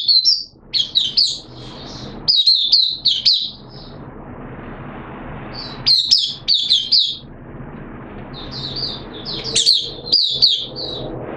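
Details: High twittering song from a caged oriental white-eye during its second day of monthly deworming, recorded 13 September 2022, delivered in scattered bursts of rapid warbled notes separated by short silences, with a soft low hum behind.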